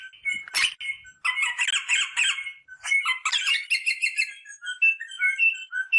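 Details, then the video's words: Rosella vocalisations to stimulate mating: a sharp burst, then long buzzy chattering passages, ending in soft, alternating high and low whistled notes. "The sound of the rosella bird to stimulate mating"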